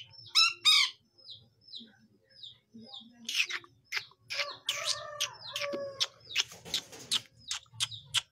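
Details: Young long-tailed shrike learning to sing. Two harsh chirps are followed by soft short whistles, then a busy jumble of chirps, buzzes and harsher nasal notes, with a faint low hum behind.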